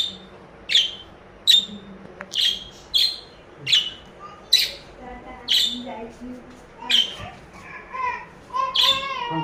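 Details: Happy pet budgie chirping: short bright chirps repeated roughly every second, each a sharp rising note, turning into softer warbling chatter near the end, with a faint voice in the background.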